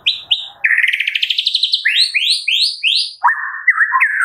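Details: Medan White-rumped shama morning song meant to stir caged shamas into singing; two high whistles, a rising rattling trill, bright upslurred notes in series, then lower rolled warbling phrases.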